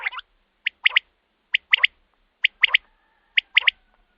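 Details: Common quail, a recording meant to lure quail at night for hunting: a regular series of liquid three-note phrases, a single note followed by a fast pair, repeated just under once a second, with a faint steady tone behind.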